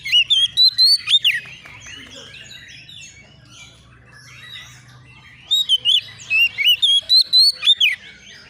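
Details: Young untrained Oriental magpie-robin, emotionally worked up and calling out for an opponent: two bursts of loud, clear whistled phrases with sliding up-and-down notes, separated by a quieter stretch of soft twittering.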